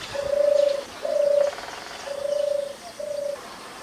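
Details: Song of a wild European turtle dove, shy and more often heard than seen in open countryside: four low purring phrases of similar pitch, the first two longer, delivered in a steady rhythm, faint twittering of other birds in the background.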